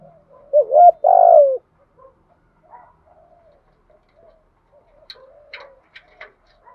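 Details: Spotted doves, male and female, calling to stimulate and train other doves: two loud, low, hollow coos early on, then faint softer coos and scattered thin chirps later.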